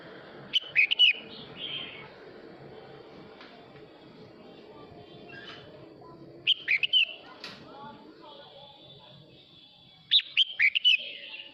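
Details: Male red-whiskered bulbul singing to call the flock, delivering three lively phrases of clear, rolling whistles spaced roughly five seconds apart, with soft chirps in between and faint low background noise.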